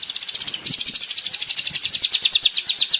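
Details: Male long-tailed shrike singing energetically with many variations: a fast, steady series of high, buzzy notes repeated about eight times per second, briefly pausing and then resuming as a slightly lower, even rattling trill.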